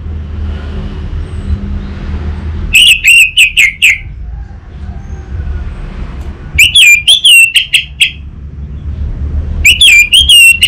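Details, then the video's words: Orange-headed thrush, North Bali, Singaraja, a master song to make an untrained bird sing openly: three short bursts of sharp, quavering high whistles, each about a second long, spaced several seconds apart over faint rumble. "Pancingan dan Masteran Burung ANIS MERAH Bahan, SuPaya Nyaut Ngeplong dan Singset"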